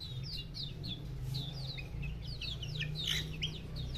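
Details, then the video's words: Several fancy Silkie bantam chicks peeping continuously: high, downward-sliding cheeps overlapping in a busy, irregular chorus, with a constant low hum underneath. "Bentam silkie chicks"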